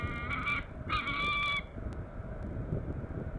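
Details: A peregrine falcon at the Norwich Cathedral nest, UK, on August 27, 2014, gives two harsh, drawn-out nasal calls, each about half a second long, over a low rumble of city traffic.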